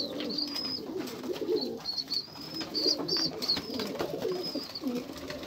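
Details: Pigeons give low rolling coos while a thin, high, repeated chirping runs above them through the first half, followed by more steady cooing.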